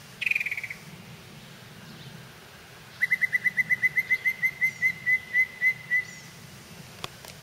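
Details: Yellow-breasted chat singing in spring in a holler while several birds chase one another; a brief harsh burst, then a steady run of about thirteen whistled notes on one pitch, gradually spacing out, and a sharp click at the end.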